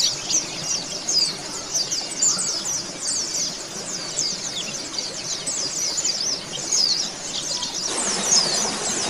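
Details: Recording to coax kept oriental white-eyes into song: very high, thin twittering and quick whistles from many birds run throughout, and a broad hissing noise rises over the chorus in the last second or so.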